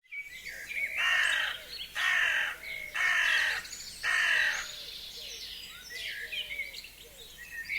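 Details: Forest birds singing in spring at a frozen wild forest lake on a sunny, windy day; a loud harsh phrase of four broad buzzy bursts about a second apart, then softer scattered chirps and twitters.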